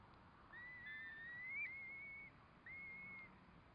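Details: Curlew near a nest where four chicks are hatching: a long, slightly wavering high whistle, then a shorter level whistle after a pause, over a faint steady background rumble.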